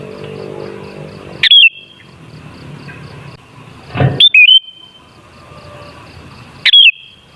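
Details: Sooty-headed bulbul song used to lure bulbuls into singing: three short, slurred whistled phrases spaced widely apart, with a dull thump just before the second.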